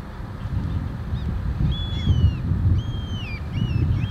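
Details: Eurasian oystercatcher at Træla, Tønsberg, Norway, in March 2023, giving four shrill, piping whistles that slide downward, each about half a second long, under a heavy rumble of wind.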